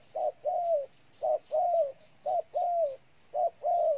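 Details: Spotted dove call from Ninh Thuận, Vietnam: four clear pairs of a short coo and a longer falling coo, evenly spaced about a second apart, over quiet background.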